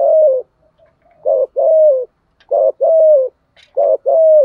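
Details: Spotted dove decoy bird cooing in the earthy 'giọng thổ' style: low hollow coos around mid pitch, short notes followed by longer slightly falling coos, phrases repeating about every second with brief pauses.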